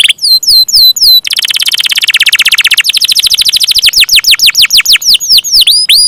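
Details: Active canary song in the long rolling style. Paired falling notes lead into a dense, rapid buzzy trill of almost two seconds. It then loosens into slower, loud, downward-swooping whistles with hooked endings.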